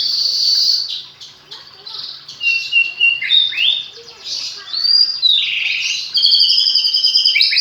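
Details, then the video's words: Magpie-robin raised by hand from a fledgling, singing fluent fill-in song (isian): a rich, varied run of high whistles, slurred rising and falling notes and quick trills, with loudness swelling and dipping throughout. "Burung murai rawatan dari trotol hasilnya lebih maksimal isian faseh2"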